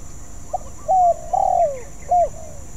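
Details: Practising spotted dove, not yet accomplished: a faint short note, a level coo, a long downward-sliding coo and a closing short coo, with soft chirps from other birds.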